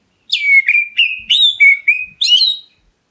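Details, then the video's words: Black-breasted Oriental magpie-robin calling to draw a reply from other birds. A quick run of about seven whistled notes, each sliding down from high to mid pitch, with a brighter rising note at the end. No other sounds. "KACER DADA HITAM MEMANGGIL, BURUNGMU LANGSUNG NYAUT!"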